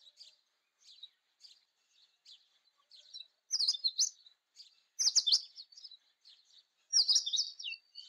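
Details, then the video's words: Indian robin, Copsychus fulicatus, singing: short high chirps every half second build into loud warbled phrases near 3.5, 5 and 7 seconds, each a rapid jumble of sweet whistled notes, over a quiet background. "Indian Robin Song / Indian Robin Sounds / Indian Robin Call / Indian robin Vocals - Voice - Chirping"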